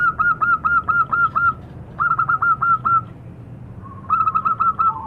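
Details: Zebra dove (perkutut lokal) cooing in three rapid bursts, the first of about seven clipped mellow notes, the others shorter, separated by brief pauses over low background noise.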